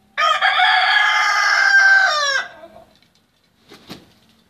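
A single long, loud, harmonically rich crow from a rooster, held steady for about two seconds before dropping away, followed by a brief faint knock.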